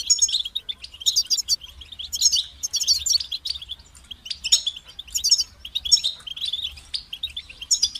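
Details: European goldfinch delivering a lively song of sharp, high chirps, tinkling twitters and brief trills, coming in uneven bursts with short silences between phrases.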